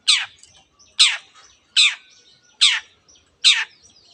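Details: Long-tailed shrike giving a song that includes mimicry of canary and many other birds: harsh, buzzy rasping notes repeated steadily about once every 0.8 seconds, with faint thin whistles between.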